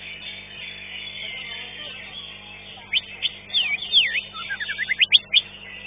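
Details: Green leafbird at a bird singing contest, the fifth-place winner: after three seconds of low crowd murmur come loud, clear whistled sweeps rising and falling in quick succession, ending in a burst of short rapid notes.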